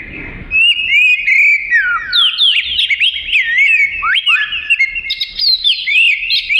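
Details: Oriental magpie-robin (kacer) in full song for teaching other caged songbirds: after a short quiet start, a dense stream of clear whistled phrases, swooping slurs and high sharp notes, ending in a sustained whistle.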